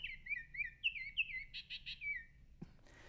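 Baltimore Oriole song: a quick run of rich, clear whistled notes, some slurred up and down, then a few burry notes, followed by a brief thump and rustle.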